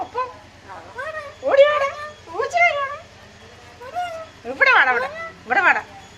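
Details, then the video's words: Parrot speaking Malayalam, producing a run of short, nasal, speech-like syllables with bending pitch in about six separate bursts, some harsher and louder near the end, with a low steady hum underneath. "parrot talking മലയാളം ഒരു ഉമ്മ അല്ലെ ചോദിച്ചുള്ളൂ"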